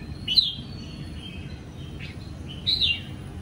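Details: Caged wild-caught Sông Kon red-whiskered bulbul singing in the ché style on a morning, 20 April 2022, sunbathing after moulting its wild plumage: two bright, slurred whistled phrases with a faint note between, over low background hum.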